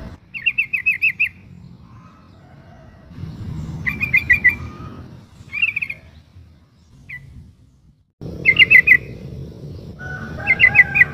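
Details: Sooty-headed bulbul female in breeding condition calling the male, used to prompt a reply; several short bursts of rapid, bright chattering notes separated by pauses, with a rough rumbling background that comes and goes.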